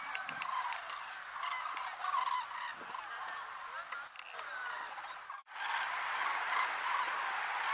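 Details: A flock of common cranes at Lac du Der, France, in November 2015, trumpeting together in many overlapping rolling, bugling calls forming a dense, continuous clamour, with a brief lull about two-thirds through.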